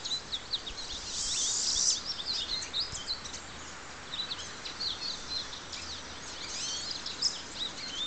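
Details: Pine siskin (Spinus pinus), song.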